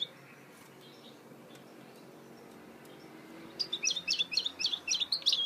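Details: Goldfinch hybrid (mule) singing: after about three and a half seconds of quiet hiss, a quick burst of high, bright twittering notes begins and runs rapidly to the end.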